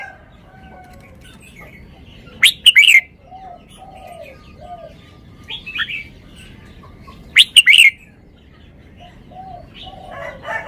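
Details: Red-whiskered bulbul showing off its song phrasing: two loud, short bursts of bright, warbled notes about five seconds apart, with soft whistled notes from other birds in between.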